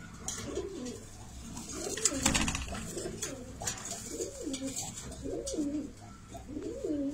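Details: A black domestic pigeon couple, billing and mating, gives low, throaty rolling coos, each swelling and dipping, repeated about once a second, with faint rustles and clicks nearby.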